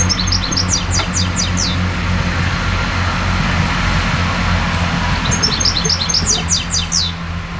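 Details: Wild songbird recorded live near a canal-side hedge during a narrowboat journey: two fast cascading phrases of sharp, high descending notes about four seconds apart, over a constant low engine drone.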